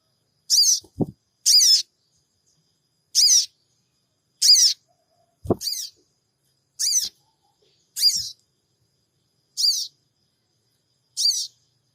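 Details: Sooty-headed bulbul call used to provoke a response, Purbalingga, Android recording: nine short, harsh, scratchy chirps delivered at an irregular pace over twelve seconds, with a couple of faint knocks.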